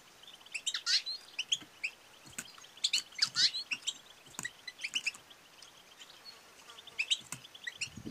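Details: Female European goldfinch giving the 'batbata' and 'satsata' calls used to stimulate males to sing and mate: rapid high twittering chirps in scattered bursts over a faint hiss, with a soft low thump at the end.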